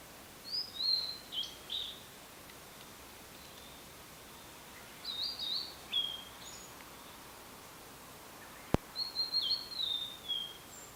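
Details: Blue-and-white flycatcher, the prefectural bird of Tochigi, singing at the prefectural forest park in Yaita, Japan, recorded with a camera and external microphone. Three separate high whistled phrases with dropping slurs, plus a single sharp click near the end.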